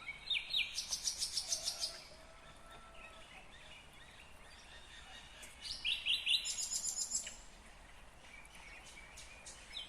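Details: Nightingale song recorded in Kyrgyzstan, 2020: bursts of fast, evenly pulsed high notes rattling for about two seconds, a quieter gap, then another pulsed burst, over steady background noise.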